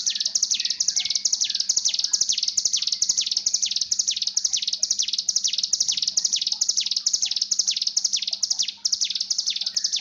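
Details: Mountain tailorbird (ciblek gunung) breeding-condition call played as a lure to train birds to sing: loud, high, buzzy notes repeated steadily about twice per second, dropping slightly at each end, with a faint low hum beneath.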